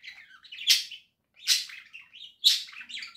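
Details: Indoor pet budgerigar song recorded in October 2024: three strong, harsh chirping bursts about a second apart, each trailing into softer twittering chatter.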